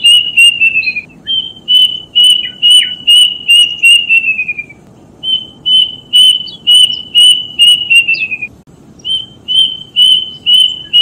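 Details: Repeated song of a plaintive cuckoo used as training material for kept birds: bright, even whistles at a brisk pace, each run trailing off in falling slurred notes before starting again, steady low hum in the background.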